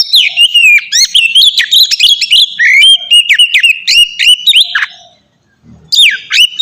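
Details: Oriental magpie-robin delivering ngeplong song, meant to trigger young captive birds to sing: a long fluent stream of whistles and snappy chips, a brief pause, then a renewed swooping phrase.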